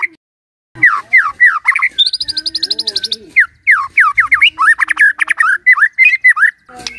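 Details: White-rumped shama in full, lively song: loud slurred whistles rising and falling near mid pitch, broken by a fast buzzy trill of high notes, then quick varied phrases of whistled notes packed closely together.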